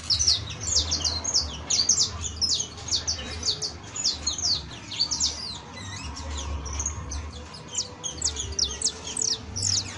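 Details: Saffron finch, known locally as canario basto or criollo, singing a professional-style song: rapid, high, chirpy notes in a dense stream of short downslurred phrases, with a low steady hum behind.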